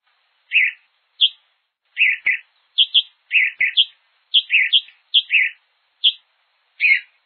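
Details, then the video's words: Hepatic tanager from Brazil, its song called strange and bizarre: short burry chirped notes at a fairly high pitch, given singly or in quick pairs, about fifteen in seven seconds, against a silent background. "CANTO DE AVES DO BRASIL : sanhaçu-de-fogo"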